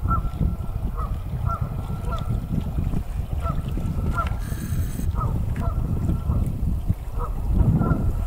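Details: Canada geese at Big Hill Pond State Park's Travis McNatt Lake on February 3, 2018, giving spaced single honks about every half second to second, half-buried in strong low-pitched wind rumble and a brief hiss.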